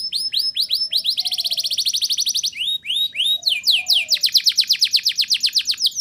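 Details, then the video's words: Canary delivering loud 'ngerol nembak' rolling song meant to stir young canaries into song: repeated upward whistled swoops merging into rapid trills, a brief dip, then another run of fast rising notes. "Suara Burung Kenari Gacor Ngerol Nembak! Ampuh Untuk Pancingan Kenari Paud Biar Bunyi"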